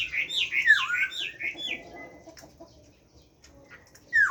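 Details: Chinese hwamei kept in captivity, singing a wild-type song: a quick cascade of clear slurred whistles that fades out, a short quiet gap, then one sharp rising whistle.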